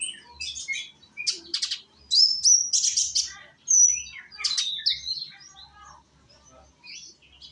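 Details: Sunbird song from Indonesia, a young konin recorded to prompt others to sing: a lively, very high jumble of rapid chirps, sharp whistles and twitters packed into the first five seconds, then fading into sparse notes.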